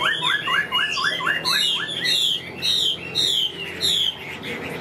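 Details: Chinese hwamei in a cage in Vietnam, said to sing nonstop once hung out. Quick run of repeated rising whistles, followed by loud buzzy high phrases roughly every half second.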